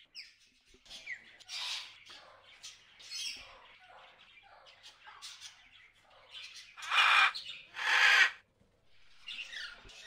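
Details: Wild macaws in the Amazon rainforest, described as hungry: soft chatter gives way to two loud, harsh, raspy squawks in quick succession near the end, then quieter calls.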